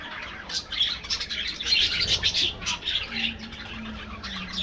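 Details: Colony of aviary budgerigars chirping rapidly in overlapping bursts of high warbles, quieter at the end, with a faint low tone.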